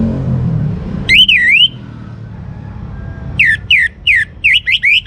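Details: Orange-headed thrush, a young captive bird from Singaraja in North Bali, singing to encourage other birds: a wavering, looping whistle, a quiet gap, then a string of short rising-falling whistled phrases repeated rapidly.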